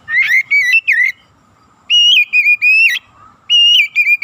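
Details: Loud, steady whistled phrases from an Oriental magpie-robin, played as a lure to stir other birds: three bursts of level, ringing notes with brief up-flicks, separated by about a second of near silence.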